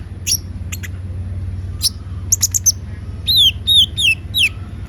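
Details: Kolibri ninja (konin) in lively song: scattered high sharp chips, then a run of four slurred whistles falling in pitch, over a steady low background hum.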